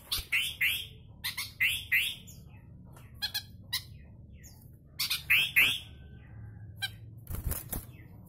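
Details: Captive-bred sooty-headed bulbul singing in the kutilang rasa murai style: short bright chirps and rising-then-falling slurred notes in quick irregular bursts, with pauses, squawky notes and wing flutters between phrases.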